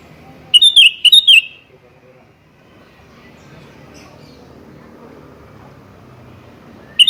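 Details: Sooty-headed bulbul calling at a rival: two quick clusters of sharp, liquid whistled notes near the start, then mostly a low murmur of background noise, with another note just beginning at the end.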